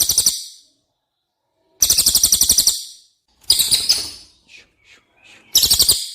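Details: Cililin song used as masteran training audio for competition birds: short explosive high trills of quick pulsed notes, four bursts separated by clean silences, with a few soft faint chips between the third and fourth.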